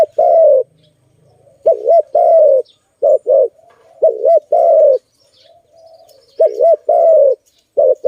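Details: Malay dove (zebra dove) filmed during bird trapping: loud, clear cooing phrases, each a quick double-humped note then a longer drawn coo, repeated about every two seconds against a quiet background.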